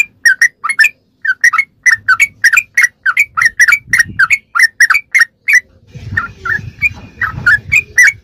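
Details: Sooty-headed bulbul in rapid 'ropelan' song style, used as tutor material for captive birds: quick bubbly two-note chirps around the mid range, repeated several times a second, with a low rumble of background noise in the final seconds.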